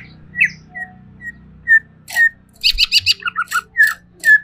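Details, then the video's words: Caged greater green leafbird in an agitated state, giving short whistled notes spaced about every half second, then a burst of buzzy rattles and quick descending chirps. "SEKETIKA CUCAK IJO INI EMOSI"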